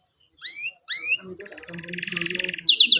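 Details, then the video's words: Canary song for teaching young canaries; two upswept whistled notes, a buzzy steady roll, then loud high rattling notes, with a faint low murmur underneath. "KENARI GACOR PANJANG CUIT CUIT NGEROL NEMBAK"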